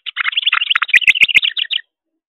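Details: An excited juvenile Carolina wren flaps at a bird feeder, giving a rapid, dense chattering run of bright, squeaky notes that lasts nearly two seconds, with a few dry clicks in the middle, then stops abruptly.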